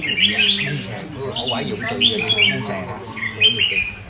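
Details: Red-whiskered bulbul, a kept songbird, delivering loud slurred whistles in separate bursts about once a second, each phrase bright and rolling. Human voices murmur beneath the song.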